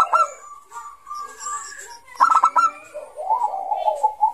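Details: Bangkok zebra dove voicing ngayer song used to lure young doves: one sharp rattling trill burst stands out, followed by a long warbling coo, amid other soft whistles and background sounds.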